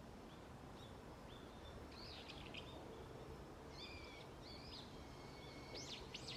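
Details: Early autumn morning in a forest with wild birds calling. Short thin whistled notes come scattered, with a few brief rapid chirp clusters, faint against constant broadband hiss.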